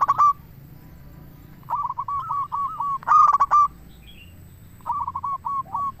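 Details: Zebra dove song for luring other zebra doves: a clear loud coo at the start, then several stuttering phrases of short rising-falling notes and one forceful rolling burst near the middle, over a quiet background.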